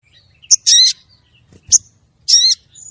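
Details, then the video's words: Female crested jay calling for the male: a sharp high click followed by a harsh, buzzy, layered note, the pair repeated twice about 1.7 seconds apart, then a thin high whistle. "Pancingan suara burung sogon betina manggil jantan"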